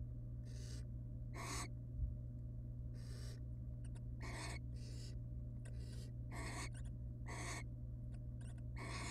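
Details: Barn owl pair with their young in a wild nest box under research monitoring; breathy rasping hisses, short bursts repeated irregularly about every second, some fainter than others, with a constant low mechanical hum throughout.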